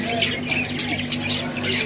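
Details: Several budgerigars kept with diamond doves in an exhibition display outside a mosque on 26 December 2025 give busy chatter: scratchy, warbling squawks overlapping without pause, over a low hum and a man speaking.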